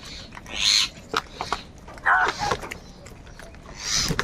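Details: Crows squabbling over food give harsh, hoarse caws in three loud bursts about one and a half seconds apart, each broad and grating, with quieter clicks and scattered bird chatter between them.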